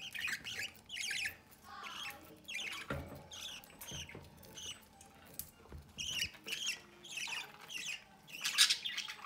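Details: Pet budgerigars, a pair feeding one of their chicks from the nest door; bursts of harsh, scratchy squawks and chirps come in irregular clusters, with quiet gaps and soft knocks between them.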